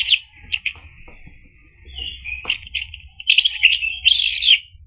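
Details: Orange-headed thrush (anis merah) song used to provoke a male to sing; sweet, rapid whistled phrases and trills, some high and slurred, over a faint hissing background.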